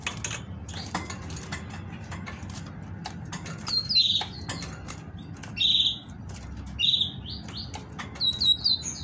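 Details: Singing female great tit, used to get males singing: bursts of high bright notes returning about every one and a half seconds, the last a fast doubled phrase, amid background clicks.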